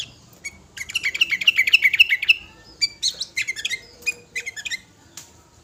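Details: Five-year-old sooty-headed bulbul singing actively with a full repertoire, used to call other birds; bright chirped notes, a quick series of sharp downslurred whistles, then scattered varied twittering phrases.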